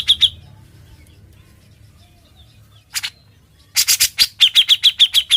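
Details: Grey-cheeked bulbul song recorded to teach other cage birds: brief sharp notes, a long silence, one harsh burst, then a dense cluster of rasping bursts flowing into a quick series of high, clipped notes.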